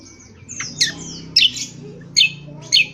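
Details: Harsh, squawky 'ngriwik kasar' notes from an Indonesian honeyeater, used for bird training: four loud, scratchy high bursts spaced about half a second apart, after a faint sliding whistle.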